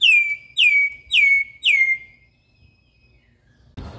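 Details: Wild campo troupial song of four loud, clear whistles, each dropping sharply and then holding a steady tone, repeated roughly every half second, followed by quiet and a short burst of noise at the end.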